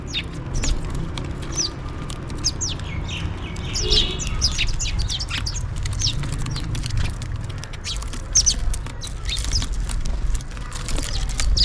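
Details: Feeding house sparrows call for food with a dense, continuous chatter of quick high chirps, many birds overlapping throughout, above constant low background hum.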